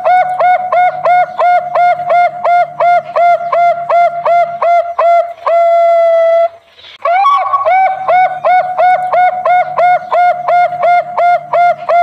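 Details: Bangkok-type zebra dove, a national champion, singing a long rhythm with complete opening, middle and ending phrases. Clear, mellow cooing notes repeat steadily about three per second, over a soft low hum. A flat sustained tone briefly interrupts, then the cooing resumes.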